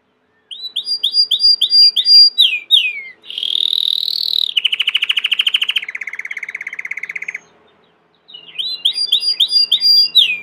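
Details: Belgian canary in full song: rhythmic, slurred notes, a buzzy rolled section, then rapid pulsed trills dropping in pitch step by step, a brief pause, then the slurred phrases again.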